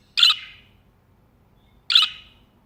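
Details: A pair of shrill, grating squawks comes from a budgerigar perched on a person's hand, spaced nearly two seconds apart, with quiet between them.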